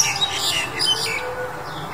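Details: In February 2021, a Black-collared Starling gives harsh, scratchy squawks mixed with two brief high whistles, over a hissy, busy background.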